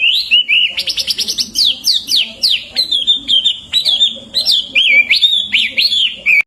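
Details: A Hwamei sings for songbird training: a fast trill of short clipped notes, then loud descending and looping whistles in an irregular, flowing sequence.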